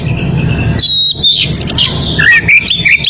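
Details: Oriental magpie-robin in breeding condition calling a rival. After a brief hum-filled pause, loud clear whistles break in, followed by quick twisting chirps and scratchy notes over a low rumble.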